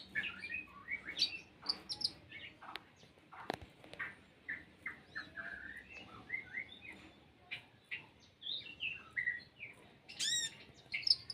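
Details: Olive-backed sunbird delivering a song with cricket imitations, scattered quick chirps and short warbled phrases in loose bursts, with a couple of sharp clicks and a low background hum.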